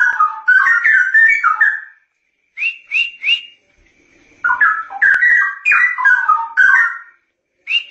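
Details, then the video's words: Straw-headed bulbul giving continuous ngoceh song as masteran material: long runs of loud, liquid, bubbling whistles stepping up and down, broken by short pauses and a few quick bright upslurred notes. "Kicau Cucak Rowo Ngoceh Masteran"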